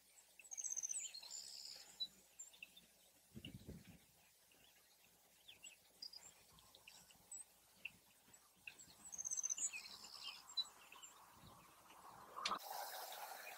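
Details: In a nesting field, a Savannah Sparrow replies to a neighbouring sparrow with two songs about eight seconds apart. Each song has high chips, a quick stuttering trill and a buzzy ending, over soft rustling and a loud thump near the end.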